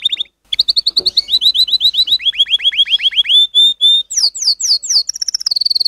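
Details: Canary training song: loud, fast runs of repeated chirped notes that step between pitch levels, ending in high, rapid swooping notes and a quick final trill.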